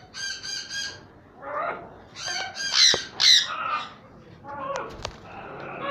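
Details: Pied sun conures give loud, harsh, grating squawks in quick irregular bursts.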